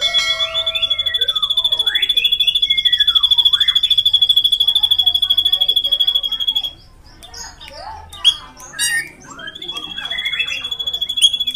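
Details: Drongo in vigorous, long rolling song: an extended rapid train of high shrill notes mixed with descending whistled slurs. A varied stretch of chatters and squeaks follows before the shrill rolling notes resume.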